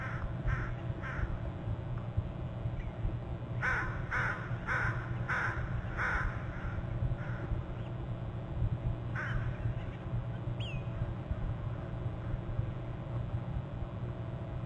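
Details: Two bald eagles fly in from the left to a perch on the top and upper left branches of their nest territory on Hornby Island, recorded by a nest camera on 8 November around 7:39, both trilling. Short series of repeated piping notes sound over steady low camera hum.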